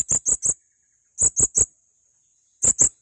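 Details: Shrill, high, squeaky notes from a male blue-crowned hanging parrot, delivered in tight triplets repeated about every 1.3 seconds.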